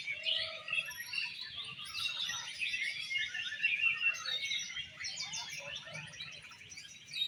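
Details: Singing-contest Oriental magpie-robin (kacer) in an 'exotic' style: a rich, rapid, varied warble of high chirps and trills delivered continuously, with a short lower whistled note near the start and other competing birds audible beneath.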